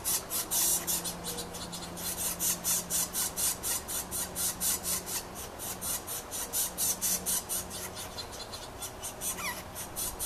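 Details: Young Yellow-shafted Northern Flickers being fed by their father give harsh, hissing hunger rasps in quick pulses, about two a second, steady throughout, over a faint low hum.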